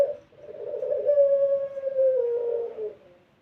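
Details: Barbary dove giving a melodious pelung-style coo, used to lure other doves into cooing: one long, steady hooting note held nearly three seconds that drifts slowly lower toward its end, in a quiet indoor setting.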